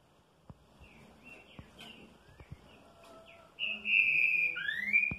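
Green-winged saltator song: soft whistled notes and faint clicks, then a loud, rich phrase of sustained whistles that slide down and then up.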